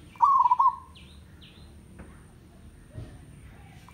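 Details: Single trilled coo from a village zebra dove, rippling and slightly falling. Two brief, higher downslurred whistles from another bird follow, then faint scattered clicks and low noise.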